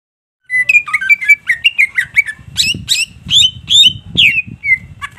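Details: Greater green leafbird singing energetically with all its song bursts coming out: rapid varied whistled notes, some sliding and falling, others sharp and chirpy, delivered in a quick irregular stream of about fifteen phrases after a brief silence.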